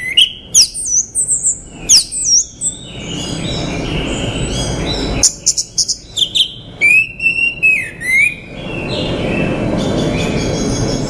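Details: Male orange-headed thrush singing: loud, varied whistled phrases sweeping up and down, with sharp high notes and slurred lower whistles, given in quick bursts separated by short pauses, over a steady background hiss.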